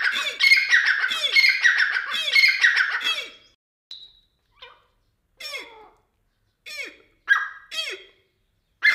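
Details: Grey francolin (dakni teetar) giving three loud, shrill ringing phrases about a second apart, then falling quiet apart from scattered short squeaky and clucking notes with silent gaps.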